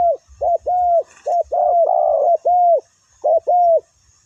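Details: Spotted dove used as a ground decoy to draw down wild doves: a run of about eight arched, hollow cooing notes, mostly short and evenly spaced, with one longer drawn-out coo in the middle.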